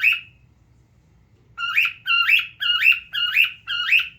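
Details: A single shrill call from a pet male cockatiel, then over a second of quiet before a steady series of five more grating, rising screeches.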